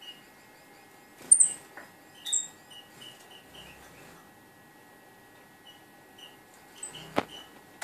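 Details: Very high sharp tsit calls and softer mid-pitched chirps from two tame female red-eared parrotfinches kept in a birdcage, with a click and faint rustling of movement against a steady low indoor hum.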